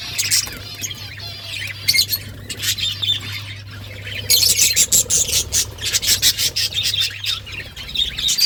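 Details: Budgies chirping in a busy flock chorus, dense high warbles, clicks and squeaky notes, growing louder and more continuous midway, with a steady low electrical hum.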